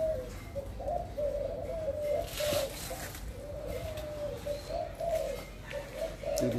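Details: Captive Thai spotted doves, large birds held in a breeding collection, give low, soft, hollow coos in overlapping phrases that run almost without pause, over a faint background hiss.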